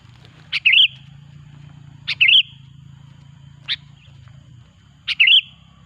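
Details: Sooty-headed bulbul song used as a loud lure to attract bulbuls for trapping: three short bubbly phrases about every one and a half seconds, each a sharp note then a quick warbled flourish, over a faint low hum.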